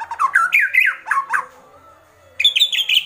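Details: Agitated White-rumped shama giving kretekan calls: a burst of harsh, squawky notes jumping up and down in pitch, a pause, then a high rasping phrase.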